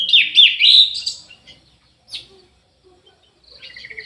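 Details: A loud, intricate whistled phrase from an aviary Orange-headed thrush opens the clip, followed by near silence and a few soft, high chirps.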